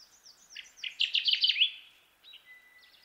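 Kirtland's warbler: a loud, rapid burst of low, chipping notes that rise into a bright, ringing ending. Fainter bird notes come before and after.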